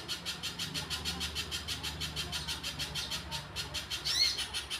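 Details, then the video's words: Energetic Little spiderhunter song of fast, regular chip notes, about three each second, ending with a brief high whistled slur; faint low rumble beneath. "pijantung pisang gacor"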